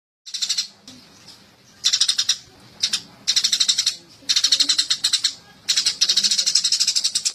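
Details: Eurasian tree sparrow, fast clear song used for training songbirds: bursts of high bright chirps, each burst under a second long, separated by short pauses with faint background noise.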